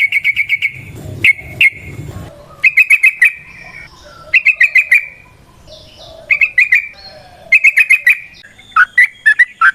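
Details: Yellow-vented bulbul singing in the wild in long ropel style, played as a lure for other bulbuls: short bursts of four to six bright chattering notes separated by quiet gaps, with faint background rustle.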